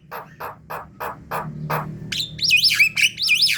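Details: A lure recording of Javan mynas: a string of six dry, buzzy squawks at a steady pace, followed by bright warbling whistles that rise and fall in loops.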